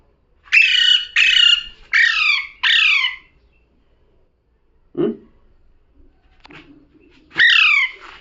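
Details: Talking parrot with four rapid harsh squawks, the later ones sliding downward, a soft low thump, quiet murmuring, then one more downward squawk.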